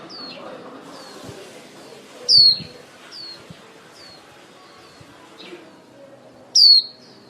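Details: Female white-eye used as a lure bird for trapping, calling the flock. Two loud, thin, high whistles slide downward, with softer matching notes about once a second between them over faint background hiss.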